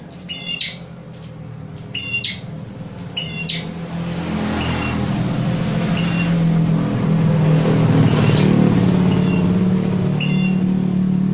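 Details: Captive prinia being trained with a mirror, giving sharp, high doubled chirps, roughly one per second at first and then sparser, over a steady, swelling engine rumble.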